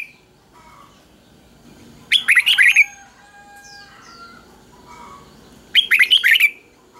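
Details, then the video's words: Red-whiskered bulbul kept in a cage sings its doubled three-syllable counting-style song for teaching young birds; two loud, quick warbling bursts about three and a half seconds apart, with soft whistles and descending sweeps between. "เสียงนกกรงหัวจุกเบิ้ลเพลง3พยางค์ทั่วไปง่ายๆ สายนับดอกต้องหัดลูกนก"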